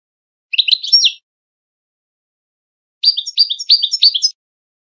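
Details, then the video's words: Goldfinch song in the Widani style, meant for teaching young goldfinches and hybrids for contests: two brief bursts of chattering, twittering notes separated by a silent gap of about two seconds. "شريط تغريد ويداني للفوز بمسابقات التغريد وتلقين صغار الحسون و الهجين"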